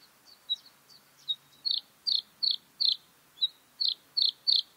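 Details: Bluethroat singing: a few soft, thin high notes, then a steady run of loud, buzzy, rasping notes repeated roughly three times a second, with a short pause midway.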